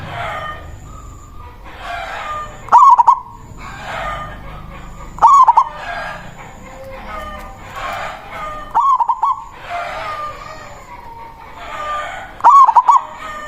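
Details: A loud local zebra dove gives its manggung song to call a rival, a lure recording: four rolling phrases of rapid bubbling coos every few seconds, with a murmuring background and a thin steady high tone.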